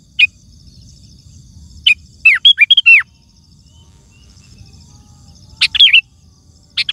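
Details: Sooty-headed bulbul in loud, lively song, used to call wild birds and tutor caged ones: bubbly whistled phrases with a quick burst of several notes between, brief single chirps and a faint high hiss behind.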